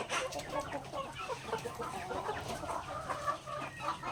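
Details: Backyard chickens eating grains at feeding time, soft clucks and short murmured notes from several hens overlapping, with pecking taps and a faint hum.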